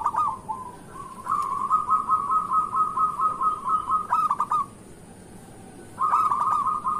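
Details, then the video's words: Morning lure song of a local zebra dove, persistent and loud: a long rapid trill of beaded coo notes lasting over three seconds ends abruptly, then after a pause another rolling phrase begins. "Perkutut lokal gacor pancingan untuk pagi hari"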